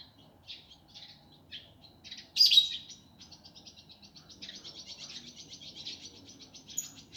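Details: Indigo flycatcher song used as a master for training birds, rough fast gavor kasar style: scattered high chips, one loud harsh burst, then a long even high-pitched rapid trill.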